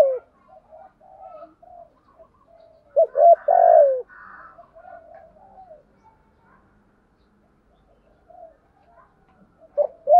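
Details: Spotted doves, male and female, calling to stimulate training birds: one loud coo phrase, a rising double note then a long falling coo, overlaid with buzzy chatter, soft murmuring notes around it, and another phrase beginning at the end.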